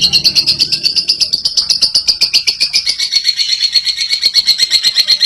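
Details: Lovebird giving clear ngekek chattering to prompt other lovebirds: fast shrill pulses, about four per second, steady throughout, with a faint low hum early on.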